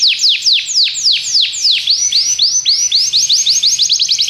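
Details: Belgian canary song meant to draw other canaries into singing; slow descending sweeps give way to rising arched notes that accelerate into a quick rolling trill.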